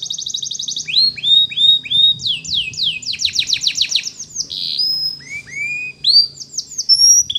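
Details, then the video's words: Canary training song with a rapid opening trill, repeated rising-falling whistled slurs, fast down-swept notes and long clear whistles. "The Canary's Voice Called"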